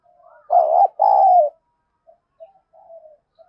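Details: Spotted dove with a thổ-type voice, cooing to provoke fighting in a highly aggressive state. One loud two-note phrase, a quavering coo then a drawn-out one, followed by a few soft, low murmurs.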